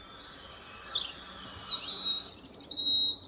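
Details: European robin in song: a rich, fast-changing phrase of very high, thin whistles, with rising and falling slides and liquid trills, ending on a sustained high note, over a quiet background.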